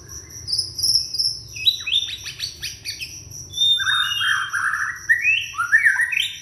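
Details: Young white-rumped shama, Indonesia, singing to draw other shamas into song: thin high notes and clicks opening into a sequence of full, mellow repeated whistles, then rising flourishes.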